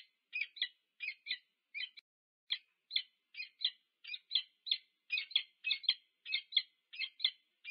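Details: Peregrine falcons meeting at the nest on the UC Berkeley campus, USA, nest cam, 2 November 2022; loud, steady run of paired chipping notes, about one and a half per second, building slightly toward the end.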